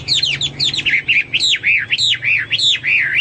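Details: Lively song of a Hwamei: rapid, rich whistled phrases, each note swooping up then down, delivered almost without pause in a varied, flowing stream.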